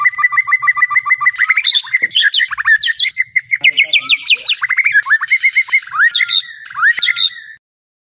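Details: White-rumped shama (murai batu) night song for training competition birds: a long, varied stream of rapid whistled notes, trills and sharp chirps, constantly changing phrases, ending abruptly.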